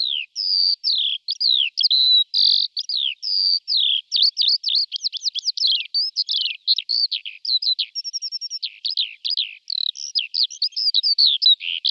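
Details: Flock of wild Eurasian skylarks feeding in a field in Malta: sustained, fast high-pitched warbling of chirps, buzzy trills and quick up-and-down whistled slurs, running almost without pause in a clean, quiet setting.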